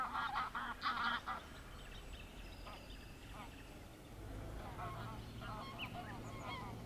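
A common starling mimics a wader: loud nasal, honking notes open the clip, followed by softer squeaky, chattering phrases over a low background rumble.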